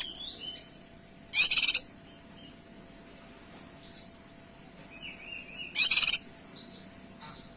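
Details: Kinoy singing chatty 'tembakan' phrases meant for tutoring other birds: two loud harsh rattling bursts about four seconds apart, between them soft high whistled notes and short rising slurs over quiet background.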